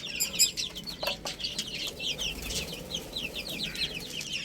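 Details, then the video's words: Baby chicks at a meal of spinach give bright, high-pitched peeps in quick succession, several birds calling over one another, with a few sharp clicks of pecking. "Adorable Little Chicks Chirping Sounds | Amazing Baby Hen Eating Spinach"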